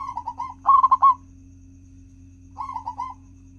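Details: Lure song of a local zebra dove, meant to prompt other doves to sing: a soft trill of coos leading into a louder burst of four rolling notes, silence, then another softer cooing run.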